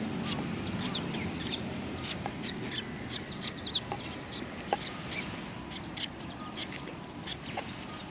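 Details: Many sparrows at a Tenmangu shrine in February 2020 keep up a steady stream of high chirps, several birds overlapping, against a soft background murmur.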